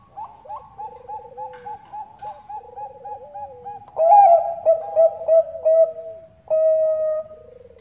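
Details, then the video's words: Lure call of a female Bangkok zebra dove calling a male: a series of soft, evenly repeated short coos with trilled dips, then a louder burst of rhythmic pulses and a long sustained coo ending in a trill. "PANCINGAN PERKUTUT BANGKOK GACOR"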